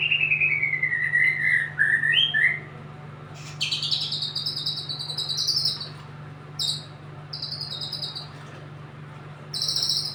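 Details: Song of a white-rumped shama: a wavering, descending whistled phrase, then repeated bursts of shrill, buzzy high trills separated by short pauses, over a steady low mechanical hum.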